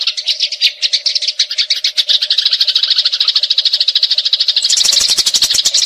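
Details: Eurasian tree sparrows in a fight, producing a long 'nrecet' rolling chatter of rapid scratchy notes that grows denser and louder toward the end, with sharp clicking notes joining near the finish.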